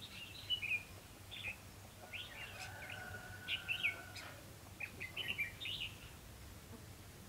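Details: Red-whiskered bulbul decoy bird used for trapping in Vietnam, singing short warbled whistled phrases of two to four notes around mid-high pitch, spaced by pauses; a low steady hum and a faint drawn-out tone in the background.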